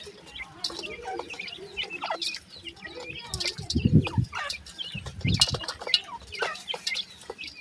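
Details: Grey francolin chicks keep up a steady chorus of high, short peeps and chirps, interrupted twice by loud low thumping or handling noises.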